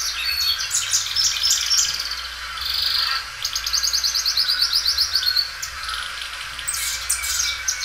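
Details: Belgian canary that sings loudly and stretches its song repeatedly: high chirps and whistles, then a long series of rapid repeated high notes in rhythmic rolls, ending in bright chips.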